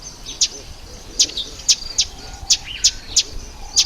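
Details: Crisp, very high single ticks from Red bishops during the October–November breeding season, spaced about every half second, with a couple of quick rising chirps between them.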